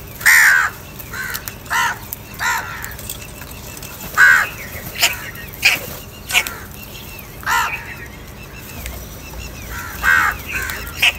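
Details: Repeated hoarse caws from crows in a food fight, loud and quieter calls alternating at uneven intervals over several seconds, with faint high chirps in the background.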